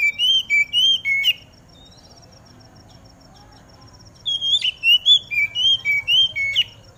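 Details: Oriental magpie-robin (kacer) aired in the early-morning dew, its song meant to set other magpie-robins singing: bright rising and falling whistled notes in a brisk burst, a quiet gap of about three seconds, then another lively phrase of rapid whistles, faint high ticking behind.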